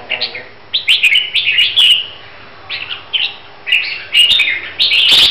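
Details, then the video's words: Huế red-whiskered bulbul in training for a singing contest in Vietnam: short, lively whistled phrases, each bending up and down, separated by brief pauses, ending in a longer bright outburst. "Chào Mào Huế Hót Cực Hay"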